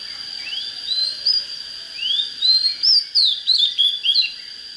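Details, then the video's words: Oriental magpie-robin in good fired-up song for fighting wild decoy birds; upward-swept whistles repeated, building to fast varied twisting notes, quick and clear over a faint steady high tone. "Chích chòe than HÓT HAY || Cách LÊN LỬA TỐT NHẤT"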